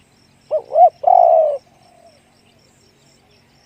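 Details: Spotted dove in the 'one kuk, big voice' song style: one phrase of two short looping coos and a long low coo, then a soft trailing note and silence. The next phrase starts at the very end.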